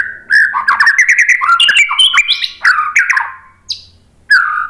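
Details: White-rumped shama in full, dense song: tumbling warbles, chattering notes and sharp whistled jumps packed closely, ending with a short pause and a final falling whistle.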